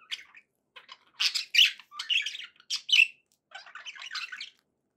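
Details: Budgerigar chatter from pet birds: separate short bursts of scratchy chirps and squawks, some bright and loud, broken by brief silences, ending in a softer jumbled twitter.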